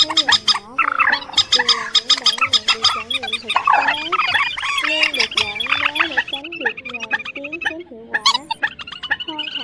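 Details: Migratory birds, described as trích ré, quốc mốc and quốc biển, calling at night in August 2023 as a lure for net trapping; a dense overlapping chorus of wavering, nasal harmonic calls and sharp clicking notes, many birds at once.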